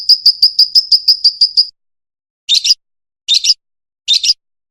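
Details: Fischer's lovebird; song; teaching young birds to sing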